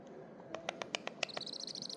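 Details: One of two pet parrots singing indoors. A run of dry clicks gives way to a thin, high, steady whistled trill near the end, over a quiet room background.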